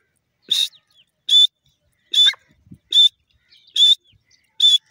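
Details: Grey francolin calling with loud, shrill, piercing notes, each short and harsh with a ringing high tone, repeated steadily about once every 0.8 seconds for six notes in quiet surroundings.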